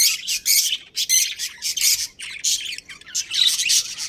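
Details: Budgerigars, a breeding pair in a colony, chirping in dense bursts of high chatter and squeaks, overlapping calls from several birds with short pauses between bursts.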